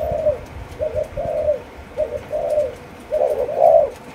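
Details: A four-month-old Malaysian-line spotted dove cooing in the chiêu gù chạy style. It gives a rolling sequence of mellow, low, rounded coos, about one per second, over a background hum and faint rumble.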